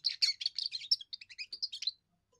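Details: First song of a young European goldfinch, sung to hold territory and win females: a quick two-second phrase of liquid, chattering notes that begins dense and buzzy, then thins into separate bright chirps before stopping.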